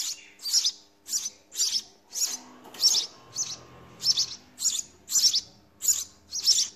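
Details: Nestling house sparrows begging while a parent feeds them: rapid, regular, raspy high chirps, roughly two per second, over faint lower rustling.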